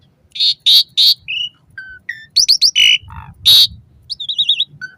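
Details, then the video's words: Asian pied starling song meant to stimulate caged starlings, morning and evening: loud harsh buzzy bursts alternating with short whistles, quick stacked chirps and a trilled wavering phrase, light low rumble beneath. "Suara Kicau Jalak Suren"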